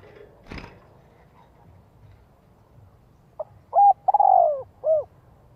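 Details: Decoy spotted dove calling to attract other doves; after a quiet start with one click, a brief note, a level coo, a stuttered drawn-out falling coo and a closing arched coo.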